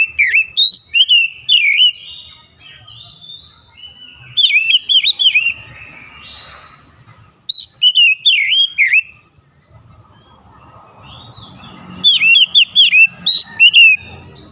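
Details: Oriental magpie-robin (kacer) in morning sunlight, repeating bright whistled phrases of looping, wavering notes in four bursts about every four seconds, each with sharp high accents, quiet gaps between.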